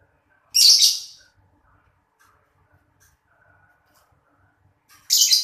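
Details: A pair of lovebirds chirping in the afternoon: two loud, harsh, broadband shrieks, one lasting about half a second near the start and another at the very end, with near silence in between.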